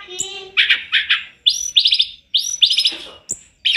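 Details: Master recording of tledekan gunung, the bird singing actively with fill notes: buzzy grouped chirps and high whistles leading into short quick trills, repeated in bursts with brief gaps.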